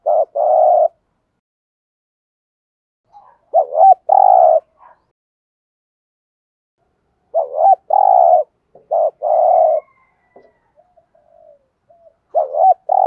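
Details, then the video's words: Spotted dove 'thúc gù' coo for luring wild doves: bursts of a short wavering double note and a sustained buzzy purring coo, separated by long silent pauses, with faint soft murmurs near the end. "tiếng chim cu gáy thúc gù/ chim cu gáy kích bổi nhanh nổi, bổi nghe nhanh nổi gù"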